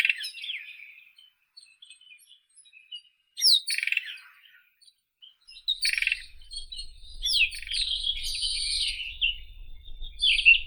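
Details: Irania gutturalis, White-throated robin, singing separate phrases of varied high scratchy warbles and chatters with short pauses between them, a faint low rumble in the background later on.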